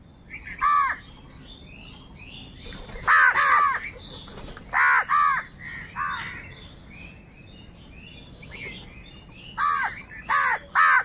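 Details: Harsh crow caws come in pairs and triples, then a quiet gap before another run of rasping calls, as wild birds compete with the crows for food.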